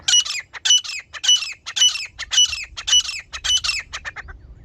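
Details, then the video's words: Female grey francolin calling, used as a partridge hunting lure: loud, harsh, squawking notes repeated rapidly and rhythmically, nearly two per second, in a steady run that fades toward the end, with faint low rumble beneath. "Hunting Sound for Partridge | Teetar ki Awaz Shikar k Liye | Female Grey Francolin Hunting Voice"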